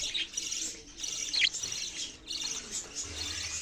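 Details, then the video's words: Soft budgerigar chirping: bursts of high twitter with short pauses between them, over a low background hum. "parrot sounds and chirping sounds"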